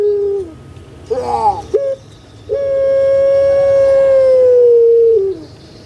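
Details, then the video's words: Puter pelung collared dove, a caged bird kept in Java, Indonesia: a short low falling note, a brief gurgling rattle, then one long steady drawn-out note held for about two and a half seconds before dropping away. "PUTER PELUNG SUARA MERDU STABIL"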